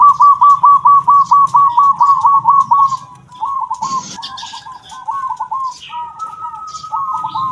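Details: Local zebra dove in kung-style song, used for tutoring: a loud rapid series of clipped coo notes about twice a second, then softer broken phrases and a held tone, with a brief burst of noise and distant chirps.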